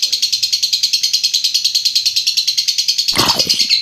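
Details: High, fast, rattling ngekek trill from a lovebird, about eight evenly spaced pulses a second, sustained throughout, with a brief low rustling thump near the end.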